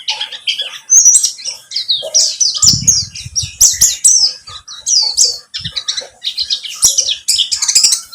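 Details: Energetic high twittering from a buxtomi white-eye used to coax singing; quick sweet chirps and slurred whistles tumble together, with a few soft low thumps.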